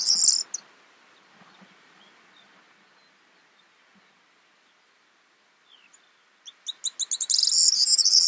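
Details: Corn bunting, subspecies calandra, recorded in May in the Crau, France: bursts of a high jangling trill at the start and end, with quick accelerating ticks before the last one and near-silence between.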